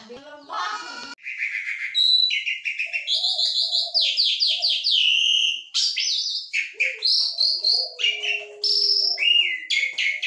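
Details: Asian pied starling in energetic, talkative song of mixed sounds: a harsh burst, then strings of repeated bright whistles, upslurs and trills delivered in rapid, varied phrases.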